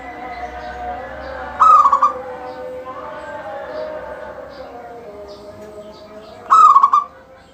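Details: Local zebra dove singing steadily, its song used to set off other doves singing; two short cooing phrases, a held note breaking into quick stuttered pulses, about five seconds apart over faint soft background chirps.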